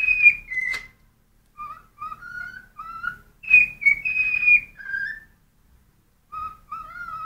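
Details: Hungry pet cockatiel singing indoors: bright whistled phrases alternating between higher level tones and lower rising notes, with short pauses and one sharp click early on.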